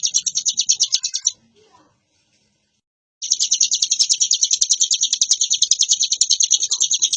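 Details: Hill prinia singing in varied ngebren style: rapid high chirping, a pause of about two seconds, then the dense shrill trill resumes and runs to the end.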